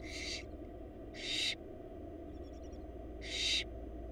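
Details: Barn owl young begging as their mother feeds them in a wild Florida nest box: three loud, raspy hissed screeches about a second apart, with faint soft chirping in the gap, over a constant low hum.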